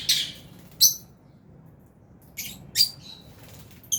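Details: Lovebirds, albino and Fisher's, kept as a flock in an aviary: sharp high screechy chirps in short bursts, a few clustered calls separated by quiet gaps, with faint low background rumble.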